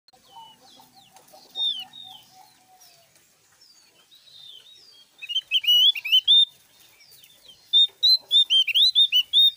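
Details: Javan grey-throated white-eye singing loudly: after a quieter start with a row of low, evenly spaced notes, bursts of rapid, high, sharply inflected whistled notes pour out in quick chattering runs during the second half.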